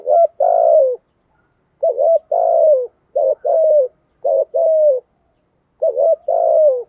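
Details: Spotted dove used as a decoy, cooing in the thổ style: five steady phrases, each a short two-part hoot and a longer gliding note that falls away, evenly spaced about a second apart.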